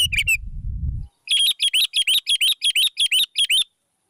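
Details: Morning sunbathing session of a sooty-headed bulbul (kutilang), apparently kept in an aviary: a brief low rumble and a short chirp, then about ten crisp, high, upslurred whistled chirps delivered in a quick, evenly spaced burst.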